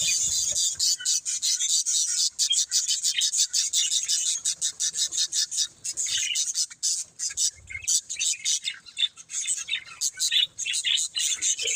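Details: Budgies keep up a continuous, dense, buzzy chatter of very high notes, fast and unbroken for the whole stretch.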